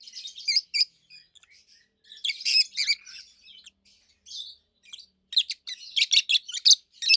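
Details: Rapid, loud, high-pitched chirping from two adult rosy-faced lovebirds kept at home, dense clusters of buzzy, treble notes with short pauses, almost continuous.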